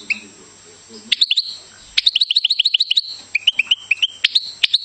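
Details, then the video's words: Goldfinch song: a faint low murmur, then a lively series of high twittering notes repeated rapidly, shifting into a slightly lower run of evenly spaced chirps, ending with sharp clicks and more high twitters. "Goldfinch Singing"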